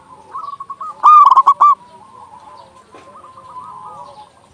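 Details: Zebra dove, local bird, in strong, loud song meant to lure and excite other doves; a single powerful burst of quick stuttered coos, framed by quieter repeated cooing from more distant doves.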